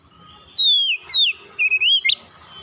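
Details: Oriental magpie-robin calling, recorded as a therapy chirping track: a long clear whistle sliding down, a short falling note, then two rising-and-falling whistled phrases and a quick upward flick, all bright and loud over near silence.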